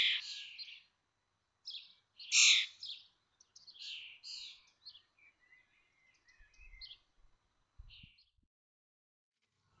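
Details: From a watched nest of common starlings at Théding, 19 May 2024, where five 21-day-old chicks fledge: several loud rasping calls open, then fainter scratchy chatter and thin notes taper off, with faint low thumps later.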